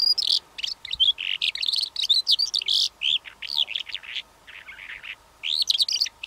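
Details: Calandra lark, a bird that sings while flying as well as perched, giving a long, fast, scratchy warble of high chirps, trills and sliding whistles with brief gaps, against a quiet background hum.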